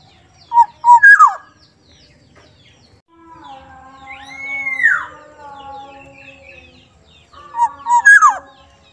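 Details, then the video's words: Soft-toned Sumbawa black-naped oriole opens and closes with a phrase of two brief notes and a downward slurred whistle. Between them sits a long arching whistle over faint layered tones. "kepodang sumbawa suaranya Lembut"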